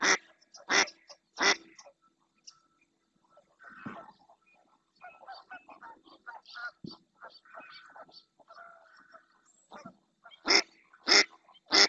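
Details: Female mallard in Doñana's marshes, Spain, calling insistently. Loud quacks open and close the recording, with a quieter middle of mixed soft duck calls and murmurs as other ducks approach.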